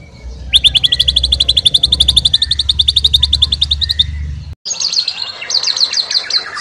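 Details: Fighter-style white-rumped shama delivering a long rapid high trill of even repeated notes over low rumbling background, then after a short break more high trilled phrases.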